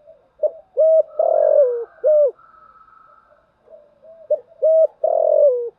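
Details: Female spotted dove used as a lure to stimulate other doves to call: two matching phrases of low, soft coos, short notes followed by a longer drawn-out coo that falls at the end, in a quiet setting.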